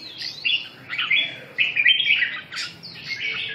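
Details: Red-whiskered bulbul singing short, bright warbled phrases, each about half a second long, with pauses between them and a sharper, higher burst near the end; the background is quiet.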